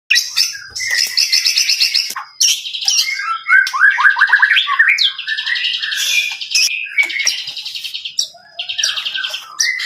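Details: Lively white-rumped shama song: rich, varied whistled phrases, fast trills and buzzy notes jumping between low and high pitch, delivered almost without pause over about ten seconds.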